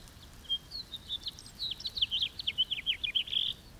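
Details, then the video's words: Somewhat distant House finch delivering a rambling, high warble of rapid slurred notes, quickening toward a buzzy ending, over steady soft environmental hiss. "The song of the House Finch"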